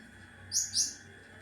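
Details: Cucak ranting singing in a sharp, rapid style, used as a model for training other songbirds: two quick, very high chirps in close succession over a faint steady hum.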